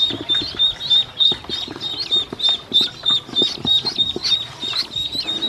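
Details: A group of hungry baby ducks being fed by a woman. Loud, piercing peeps repeat in a fairly even rhythm, over three a second, with a few rising notes and faint tapping beneath.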